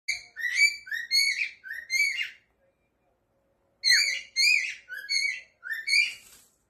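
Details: Talking cockatiel producing speech-like syllables with rich harmonics, in two bursts of about five syllables each separated by a pause of over a second; no other sounds.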